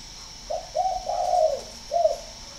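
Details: Spotted dove from northern Vietnam, kept at a breeding facility and valued as a fine singer, giving a low, mellow cooing phrase of three or four soft notes, the longest one drawn out in the middle, over a quiet background.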